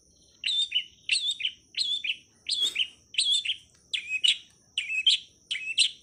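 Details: Long-tailed shrike (cowet/pentet) master song for tutoring songbirds, 'ala anak rimba': a steady series of paired chirpy notes with a short whistled slur, repeated about every three-quarters of a second over a faint constant high tone.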